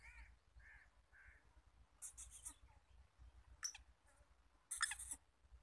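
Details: Black francolin (Francolinus francolinus), calling rapidly: a few soft whistled notes, then three harsh, grating bursts about a second apart, over a low background rumble.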